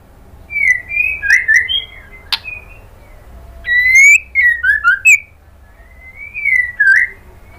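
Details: Female white-rumped shama calling to the male: clear whistled phrases in three groups, notes sliding downward and upward, with a sharp click between, over faint low background hum.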